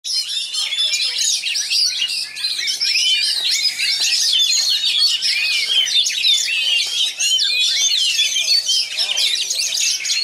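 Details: A captive Oriental magpie-robin from West Pasaman, described as one of the best there, sings a dense, unbroken stream of rapid, tightly packed whistles, trills and chattering phrases, fast and varied, with little pause throughout.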